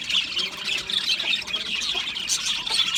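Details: Aviary budgie colony: a constant high, busy warbling from many budgerigars, with chirps and squeaky notes rising and falling over each other without a break.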